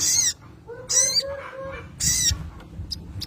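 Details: Crested jay (sogon) calling to draw out a rival, used as a lure recording: three loud harsh rasping bursts about a second apart, with a softer low whistled note between them.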